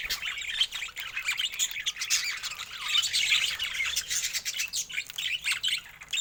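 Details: Budgerigars giving a dense, continuous stream of high chirps, tweets and warbling squeaks, overlapping quickly with no pauses, like a busy group calling together.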